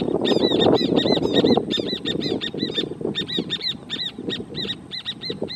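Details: A pair of horneros marking territory in the private protected natural area Amarras del Gualeguaychú. They give a fast, ringing run of bright repeated notes, about two or three a second, over a rushing background noise.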